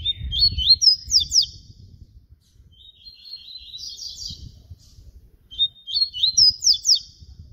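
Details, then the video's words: Papa-capim baiano (yellow-bellied seedeater) singing its flute-style song: three fast phrases of clear whistled notes mixed with buzzy trills and sharp rising strokes, spaced by short pauses, over faint low background rumble. "papa capim baiano canto FLAUTA"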